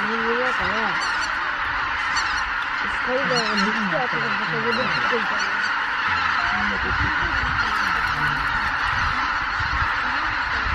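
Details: More than 83,000 Greater white-fronted geese rising from their roost at dawn, Miyajima-numa, 23 April 2017, weather poor; bursts of rapid, pitch-sliding honks early on, then the flock's dense roar carries on.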